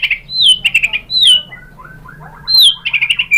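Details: White-rumped shama (murai batu) song used as a lure to provoke other shamas into singing: loud whistled notes sliding downward, bursts of rapid rattling chatter, a softer rising series midway, then falling whistles and chatter again over a faint low hum.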